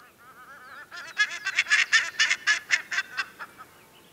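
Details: A family of Black-faced Ibis (Bandurria) tooting in flight before landing over woodland meadows on Isla Teja, Valdivia, Chile, in January summer: loud, nasal, harmonic-rich honks, about four per second, rising then fading, over soft rustling.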